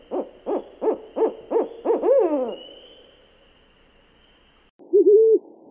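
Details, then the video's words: Nocturnal owl giving six evenly spaced, clipped hoots, then a trembling drawn-out call that fades, followed by silence and a brief wavering hoot at the end. "Le hululement du hibou 🦉 Le Cri du hibou - The cry of the owl"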